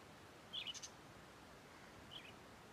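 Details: A pet lovebird (rosy-faced, Fischer's or yellow-collared) gives a quick cluster of shrill, high chirps, then a single chirp a second and a half later, over faint background hiss.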